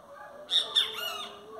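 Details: Great kiskadee singing: one loud, harsh three-note phrase with rich harmonics, the first two notes sharp and bright and the last slurred and falling, over a quiet background hum.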